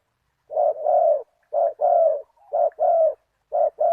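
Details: Spotted dove used as a decoy to lure a targeted wild dove, with a deep 'big voice, one kuk' cooing style: paired low, rounded coos in short bursts, each phrase a short note then a longer one, repeated roughly every second with brief pauses.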